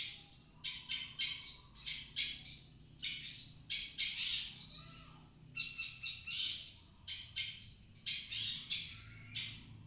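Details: Long-tailed shrike (cendet) singing as a lure to coax a reluctant shrike into song: a dense, varied stream of scratchy chirps, rasping notes and brief whistles, almost continuous with short pauses.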